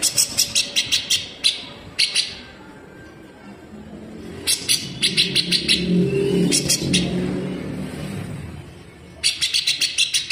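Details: Grey-cheeked bulbul (cucak jenggot), kept as a model for training cage birds, giving full-speed besetan: rough, sharp, tightly packed bursts of harsh high notes in quick runs, with a passing vehicle's low rumble in the middle.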